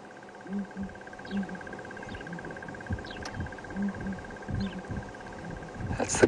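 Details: A flock of four endangered Southern Ground Hornbills (Bucorvus leadbeateri) on the ground in the bush on a morning give deep, hollow, mournful booms, usually in pairs, every second or two, over a steady insect-like drone and faint chirps.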